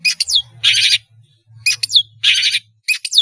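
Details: A chatty long-tailed shrike's song serves as a lure for spotted juveniles learning sounds: dense grating rasps alternating with sharp descending squeaks, over a faint low hum.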